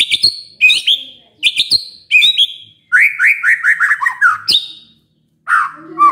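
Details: White-rumped shama song used as a lure to get other shamas to answer: bright, sharply rising whistles repeated several times, then a fast descending run of slurred notes, ending in a lower warbled phrase after a pause.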